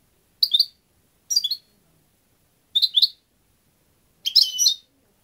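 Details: Four quick twittered phrases from a European goldfinch, the last slightly longer and fuller, each made of rapid high liquid chirps separated by short silences.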